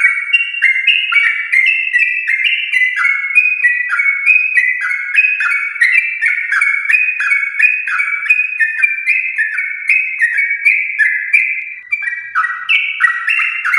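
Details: Steady, fast-flowing song of a Yellow-vented bulbul from a champion line, meant to spur caged bulbuls at home to sing: overlapping whistled notes stepping up and down in a long, dense, unbroken run.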